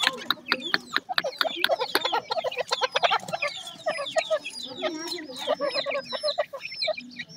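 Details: Several grey francolin (teetar) chicks giving high downslurred peeps, rapid and overlapping, mixed with lower clucking notes and frequent dry clicks.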